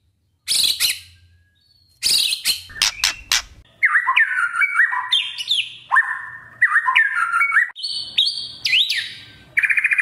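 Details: Kretekan lure of a white-rumped shama aimed at a young spotted shama: harsh snapping and crackling bursts, then a long stretch of varied whistled warbling with rising and falling slurs.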